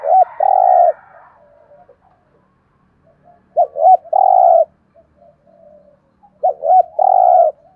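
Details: Decoy spotted dove cooing to lure wild doves: three phrases about three seconds apart, each two short looping coos followed by a longer, steady, slightly buzzy coo, with faint low murmuring between phrases.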